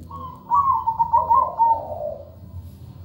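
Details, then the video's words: Perkutut, the zebra dove, singing. A soft trilled coo starts higher and slides lower, heard over a steady low background rumble. "PERKUTUT GACOR SUARA MERDU"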